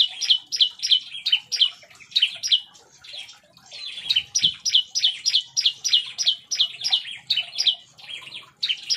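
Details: Agitated Bar-winged prinia in an aviary delivering 'nembak' song: piercing, high chirped notes repeated fast and steadily, a short quieter gap around the middle, then another run of sharp, rhythmic notes.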